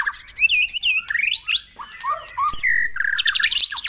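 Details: Rich white-rumped shama song from a morning dewing session for caged birds: rapid high chips open into varied slurred whistles, some rising, some dipping, delivered in quick, lively succession.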